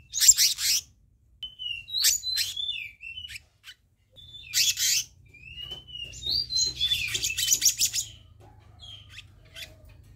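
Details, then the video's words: Black-naped monarch sounds played as a lure to draw an answer: sharp chattering bursts, then several clear, slurred whistles that dip and rise, ending in a dense run of mixed notes. "Masteran/Pancingan Kehicap Ranting Bahan Dijamin Langsung Nyaut"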